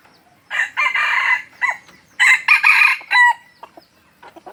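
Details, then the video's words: Crowing red junglefowl from Aceh, a lure bird, delivers a choppy, harsh crow in several bursts: a rasping opening phrase, a short gap, then a stuttering sequence of clipped hoarse notes. "Ayam Hutan Aceh # Pikat Ori."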